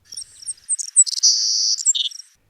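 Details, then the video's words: Savannah Sparrow song, a high, thin, insectlike sound typical of open fields and sung by males from exposed perches in breeding season: several short, very high chips, then a long buzzy, almost metallic trill ending in a lower buzz. "A typical song starts with a few short notes, then shifts into a long buzzy trill."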